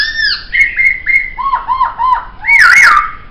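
A laughingthrush sings loud, rich whistled notes: a falling slur, then a run of quick looping phrases, ending in a bright warbling flourish.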